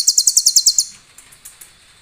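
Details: Sunbird (konin) singing clear cililin-style fill meant as a master for other birds: eight quick, sharp, piercing notes at an even pace, fading into faint scattered ticks.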